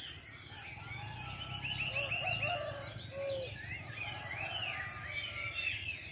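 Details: Birds in a tropical rainforest of Southeast Sulawesi call in the morning. A fast descending trill is followed by a low slurred whistle and overlapping swooping chirps, with rhythmic pulsing insects loud in the background.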